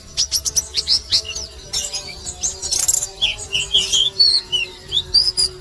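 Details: Oriental white-eye, a female calling to the male; thin, high chirps and quick twittering notes come in rapid bursts, with short squeaky slurs between them and faint low noise underneath.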